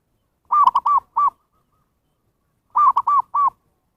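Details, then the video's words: Zebra dove voice used to call wild birds: two clusters of soft, rounded coos, four notes then three, separated by a second-long pause, with a clean quiet background. "SUARA PIKAT PERKUTUT นกพิราบชวา Chim Cu Vằn | memanggil burung liar"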